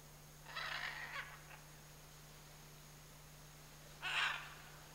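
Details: One of a pair of scarlet macaws in the Chiquibul area gives two harsh, raspy squawks about three seconds apart, over a steady low electrical hum.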